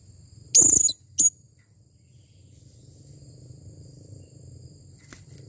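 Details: Blue-crowned hanging parrot (serindit) calling with a clear voice: one loud, sharp, very high squeaky note, then a shorter second squeak, followed by quiet faint rustling.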